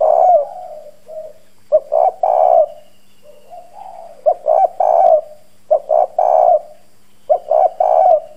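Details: Decoy spotted dove with a hoarse bronze voice, cooing hard to provoke wild doves; low, husky coo phrases of two clipped notes plus a longer note, about five phrases in steady succession.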